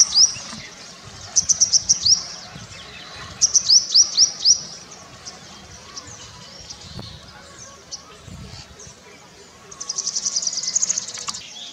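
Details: A purple sunbird giving its courtship song during courtship display: bursts of four or five sharp, very high chips, then a thin buzzy trill, against quiet background hiss.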